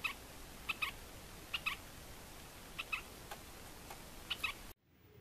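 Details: Red-shouldered spinetail (Synallaxis hellmayri), a threatened Caatinga endemic of north-eastern Brazil, with a pair present, vocalizing in the open: short, nasal double notes, pairs repeated about once a second at mid-high pitch, over steady background hiss.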